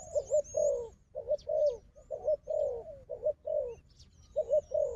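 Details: Wild dove noted for fighting strength, calling alongside a decoy: rolling low coos repeated roughly every second, each with a short hiccup then a drawn-out note, over faint high chirping.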